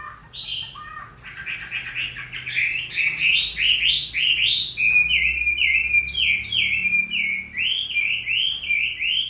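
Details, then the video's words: A hwamei nearly through its moult sings in rainy weather, starting with varied rising phrases and then settling into a fast run of similar loud, swooping notes repeated one after another. "Hoạ mi hót trời mưa vẫn là “ Cái Trác Tuyệt “"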